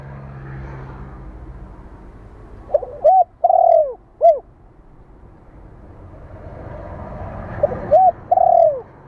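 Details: Two spotted dove cooing phrases about five seconds apart, played to train decoy birds: short rising-falling coos around a long mellow descending coo, over a steady hiss with a low hum at the start.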